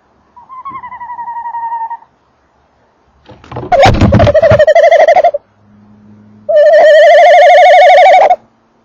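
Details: Eurasian eagle-owl pair at and in a nest box: male and female calls, three drawn-out, quavering, nasal calls about two seconds each, the later two louder and rougher, with a faint low hum between.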